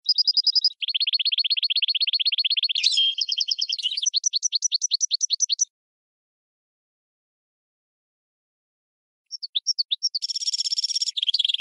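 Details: Goldfinch crossed with red canary, singing as a teacher for training birds: long rapid rolling trills shifting pitch, a run of sliding whistled notes, a pause, then short chirps and a buzzy trill.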